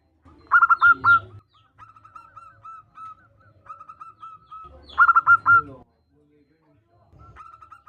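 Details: Local female zebra dove calling to the male: two loud bursts of five quick, clipped mid-pitched cooing notes, separated by a run of softer, evenly repeated notes, with faint low rumbling beneath.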